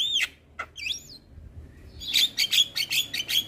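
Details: Male Javan myna singing: a few looping whistled notes, a short quiet gap, then a fast series of bright harsh chirps repeated about every fifth of a second.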